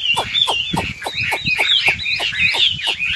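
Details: Singing nightingale: a fast series of harsh, buzzy notes, repeated about three times a second, over a faint low rumble.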